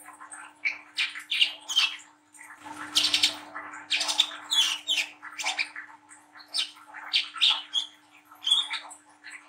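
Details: Brown-throated sunbird, a young spotted bird giving harsh song for luring young birds: steady series of scratchy chattering bursts with thin high whistles, continuous throughout, a faint low rumble briefly.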